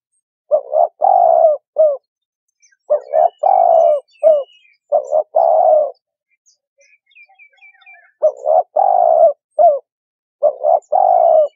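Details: Spotted dove calling, used as a lure for trapping: low, hollow coos around 500–1000 in phrased groups of three or four notes, pausing between phrases, with faint high chirps of other small birds in the background.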